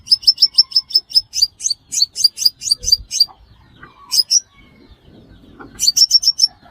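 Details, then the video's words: A sunbird used as a trapping lure calls in a long, even run of thin, high, downslurred chips, then a brief pair and a final short burst, with faint background noise. "Tiếng chim hút mật 5 màu"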